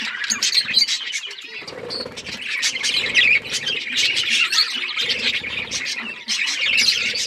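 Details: Australian parrots kept as pets chirping together: a dense, continuous chatter of high twittering and warbled notes from many birds at once, with scattered lower squawks and no pauses.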